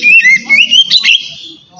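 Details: Short stretch of relaxed ngeplong singing by an Oriental magpie-robin, a lure for lazy birds, with a wavering whistled line over a low rough background hum that fades out.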